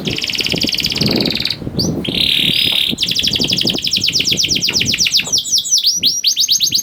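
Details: Lure song of a young canary for reluctant singers. A rapid high trill is interrupted by a buzzy rasping burst, then more quick trills and down-slurred notes, over a rumbling background.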